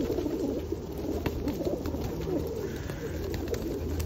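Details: Many feral pigeons fed at Osu Kannon in the rain, 2021, give a busy blend of low burbling coos without pause, over a steady hiss of falling rain.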